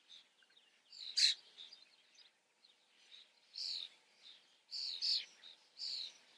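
Common starling giving harsh, scratchy bursts and squeaky clicks high in pitch, in short phrases about a second apart, over faint background noise.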